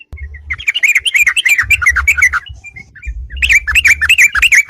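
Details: Yellow-vented bulbul song meant to challenge rivals to fight, used as a lure: rapid gurgling warbled phrases in two bursts separated by a brief lull, with low thumping noise beneath.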